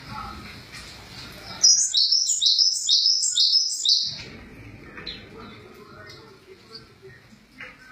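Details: Java sparrow singing a rapid run of high, sharp, stepped chirps, about five notes each rising then dropping, lasting over two seconds, with murmuring background noise before and after.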